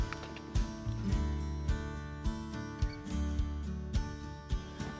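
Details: Strummed acoustic guitar plays a steady rhythm with sharp plucks roughly every second, and no animal sound is present.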